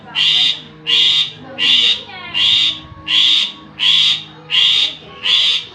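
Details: Javan pied starling lure: eight loud, grating, noisy notes repeated very regularly about every 0.7 seconds, steady in pitch and volume, intended to make listening birds call back.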